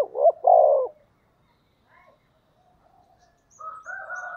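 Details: Decoy spotted dove cooing to attract wild doves in the thổ style: a loud hooked note and long rough coo open the clip, then faint distant calls and a drawn-out crowing rooster at the end.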